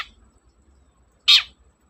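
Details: Single loud rasping screech from a long-tailed shrike, a short broad burst sliding downward, following the tail of an earlier call, in a near-silent setting; intended to rouse shrikes that are reluctant to sing.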